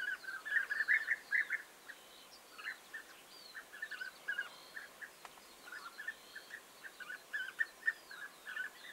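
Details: Several European bee-eaters on 29 May 2021 trill out bursts of purring, burry notes, clustered early then spaced out, roughly two calls a second, against a quiet natural background.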